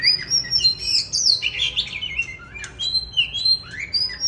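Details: Songbird singing the 'than già rừng' lament style, recorded winter 2023: a dense, rapid tumble of high, squeaky, sliding notes, with descending and rising slurs woven into a continuous varied phrase.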